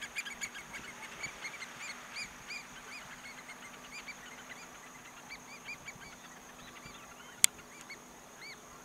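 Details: American oystercatchers (Haematopus palliatus) give loud, sharp, slurred piping whistles in a busy, overlapping burst that thins out to scattered single notes, over a steady background hum and one sharp click.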